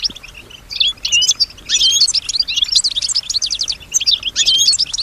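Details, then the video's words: Kept female goldfinch singing a continuous, varied high twitter, mixing liquid chirps with tight buzzy rattles as she responds to surrounding sounds; faint background hiss. "Solutions to keep your goldfinch healthy and singing with strong stimulation"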